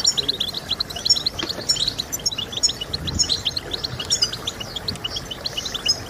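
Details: Song of the European goldfinch, played to get birds singing: a steady stream of high chirps and twittering trills, fairly even in loudness, with soft background noise throughout.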